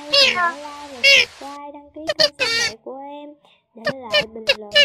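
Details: Male purple swamphen giving loud, nasal, wailing cries in quick bursts, some rising then falling, with short gaps between them; a lure recording for trapping during the August 2023 migration, used day and night to call a flock.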